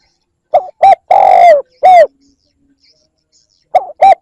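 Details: Spotted dove coo used as a lure: two short notes, a long slightly descending coo, a short rounded coo, quiet pause, then two more quick notes starting the next phrase.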